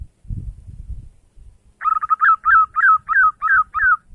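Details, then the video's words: Zebra dove singing in the morning, used to lure rival birds: after a brief low rumble, a rapid series of about eight short, mellow, slightly descending cooing notes repeated steadily. "suara burung perkutut di pagi hari cocok buat pancingan memanggil lawan"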